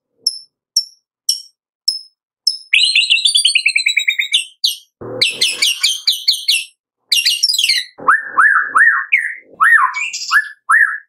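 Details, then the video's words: Lure song of a white-rumped shama, meant to make quiet captive birds sing: high thin ticks at first, then rich runs of rapidly repeated whistles and trills, ending with a series of lower, rising whistled notes. "Pancingan Murai Batu Pagi - Sore Hari 99,8% AMPUH buat pancingan murai batu pastol agar bunyi"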